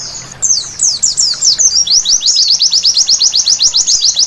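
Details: White-eye night song beginning with scattered high twittering notes, then a fast, regular sequence of sharp slurred chirps repeated several times per second.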